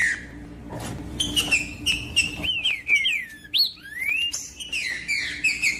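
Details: Green-winged saltator singing to warm up other saltators: rich whistled phrases of falling slurs, then a steep rising whistle and more slurred notes, with clicks and a faint low hum.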